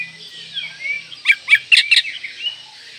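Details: Oriental magpie-robin in breeding condition, singing to provoke rivals: quiet whistled warbling, then four loud, clipped chattering notes in quick succession and a trailing soft whistle, with a faint low hum.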